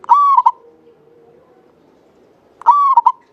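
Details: Zebra dove of local Javanese stock singing actively, used as a lure: two phrases under three seconds apart, a sustained clear note plus two brief notes, with a faint low hum in the gap.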